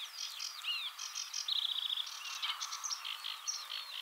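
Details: A male Corn bunting sings on a twig in the Czech Republic: a dry, jangling run of high, scratchy notes with a fast metallic rattle in the middle, like shaken keys.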